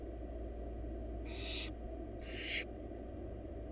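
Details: Barn owl nestlings, wild, four in a monitored box as the mother delivers rabbit prey: two rough, airy hisses close together, each about a third of a second, over a persistent low-pitched hum.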